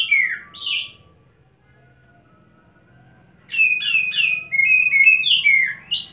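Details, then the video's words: Wing-flapping kacer, or Oriental magpie-robin, conditioned with a wet setting, delivering fill phrases: one opening downslurred whistle and a buzzy note, a long silence, then a fast chain of bright, swooping whistles. "SETTING BASAH Kacer Satu Titik Tahan Ngobra Muntah Isian"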